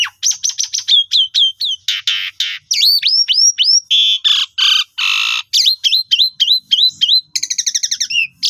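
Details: Lure song of an Asian pied starling, meant to stimulate birds that have stopped singing. Quick chattering series of high whistled notes mixed with harsh buzzy bursts and hooked downslurred calls, ending in a fast trill, with no other sounds.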